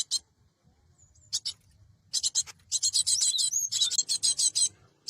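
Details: Trapping-lure recording of a cinereous tit: a few scattered buzzy notes, then a long dense stretch of harsh, scratchy chatter mixed with a short thin whistle.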